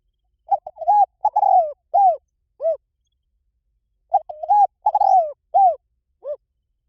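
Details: Spotted dove call for attracting wild doves, given as two full cooing phrases about three and a half seconds apart. Each has clipped opening notes, a long descending rolling coo and two falling coos.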